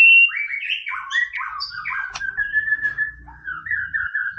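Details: White-rumped shama masteran to provoke a rival: a rich sequence of varied whistled and warbled phrases, ending in a long sustained, slightly wavering whistle, with a faint low background hum.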